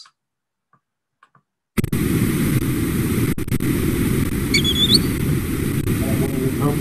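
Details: A Green Sandpiper on nocturnal migration over an urban area gives one brief, high, ringing whistled call of rising notes, nearly lost in a steady roar of low traffic noise after a moment of silence.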